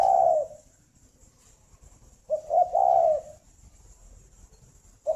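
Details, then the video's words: Morning cooing of a captive breeding spotted dove kept at a farm in Ba Vì district, Hanoi, Vietnam. Soft, low hooting phrases of a brief note, a rising coo and a long falling one, separated by pauses of about two seconds. "tiếng chim cu đẻ"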